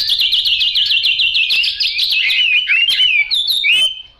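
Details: Yellow-billed, yellow-legged Chinese hwamei starting with a fast series of repeated bouncing notes, then moving into looping slurred whistles and rising swoops before the song fades out.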